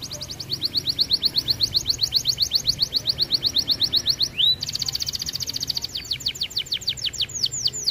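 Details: Red variant canary in full song, used to stimulate other canaries to sing: long rapid rolling trills, a quick rising slur, then a high buzzing tour and slower swooping notes, with low background hum.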